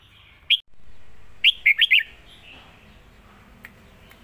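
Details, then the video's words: Red-whiskered bulbul singing a lak wai master song: one sharp note, a short pause, then four rapid bright notes rising and dipping, followed by quiet background hiss. "นกเสียงทอง!!เพลงลากหวาย สุดยอดเพลงแม่บท"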